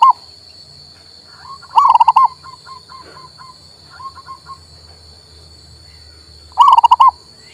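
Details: Male zebra dove, local type, used to get a silent bird singing: two full rapid coo phrases bracket a run of softer, scattered single notes from further off, over a faint low hum.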